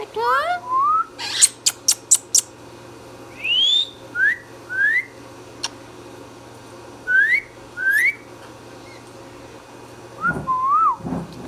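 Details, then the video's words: Indoor pet Indian ringneck parrot mixing rising whistled slurs with sharp, harsh squawk bursts, pausing between phrases, then repeating paired upward whistles and ending with rougher calls above a faint room hum. "Indian Ringneck Parrot | Ringneck Parrot Talking"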